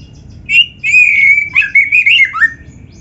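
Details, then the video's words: Loud kacer, the Oriental magpie-robin, in energetic song for training other birds: a long, sustained whistled note breaking into quick, warbling phrases that dip and rise, ending in a falling slur, over a soft low hum. "MASTERAN KACER GACOR FULL ISIAN !! - Suara Burung Kacer yang cocok untuk Latihan"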